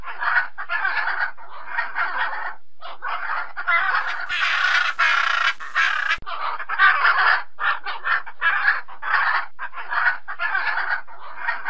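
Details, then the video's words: Blue-and-yellow macaw call: harsh, raspy squawks in rapid bursts of about a second, with a brief rush of broadband noise midway. "Canto da Arara Canindé"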